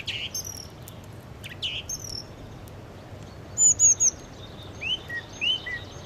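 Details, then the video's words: Sparrows chirping while eating food, giving short high chirps and downward-sliding notes in scattered bursts, with louder paired chirps near the end over quiet outdoor background. "Sparrow Chirping Sound | Sparrow Birds Eating Food & Chirping"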